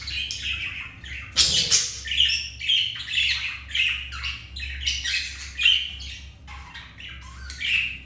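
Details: Budgerigars mating, a male mounting a female after a white grey budgie refused him; one loud broadband screech early, then steady rasping squawks and chirps over a faint hum.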